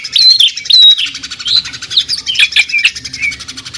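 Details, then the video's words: Cucak ijo, the greater green leafbird, delivering a jamtrok-style tembakan burst called the sewing-machine sound: quick high whistled notes and sharp chirps over a rapid pulsing rattle, dense and continuous. "CUCAK IJO JAMTROK TEMBAKAN SUARA MESIN JAHIT"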